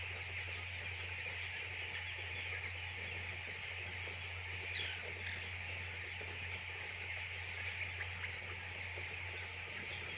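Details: Poultry farm chicks peep in a high, continuous chorus over a steady low machine hum running the whole time.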